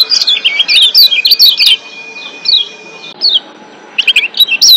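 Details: Wild-caught Lombok white-eye (kecial kuning) in breeding excitement, singing actively: rapid bursts of high, sharp chirped and twittered notes, a pause near the middle, then another quick burst, over a faint steady high tone.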